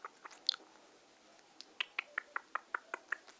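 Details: Indian ringneck parakeet, described as happy and in love, giving a series of short, harsh chattering notes about three per second, indoors with faint room noise.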